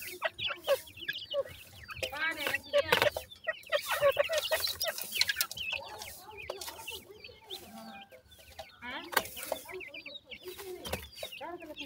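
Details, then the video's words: Grey francolin chicks while feeding: a dense, busy stream of short, high, upswept chirps and peeps from several birds overlapping almost without pause, with occasional lower clucking notes mixed in. "baby grey partridge says,gora teetar cheks ki feeding"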